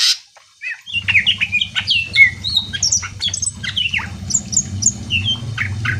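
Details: Lively song of a greater green leafbird, used to stir other birds into answering: quick varied whistles, downslurred chirps and high squeaky notes over a steady low mechanical hum.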